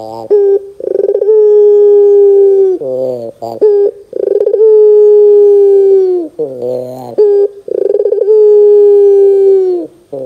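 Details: Lure recording of a Barbary dove (puter) meant to draw calls from young birds: three full cycles, each a rapid throbbing burst swelling into a long, level, deep coo, repeating roughly every three and a half seconds.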